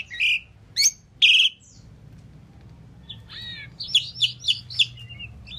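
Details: An Asian pied starling gives separate loud chirps, a pause, then a chattering series of five quick rising notes followed by a short trailing whistle.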